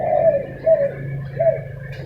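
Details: Three brief, soft, falling coos from spotted doves arguing in the morning, with a low steady hum beneath.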